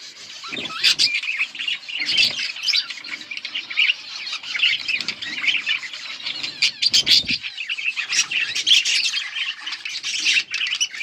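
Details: Group of budgerigars on August 15, 2024 chattering continuously for several seconds: buzzy warbles, rapid high chirps and squeaks layered together, with occasional low rustles like wing movement.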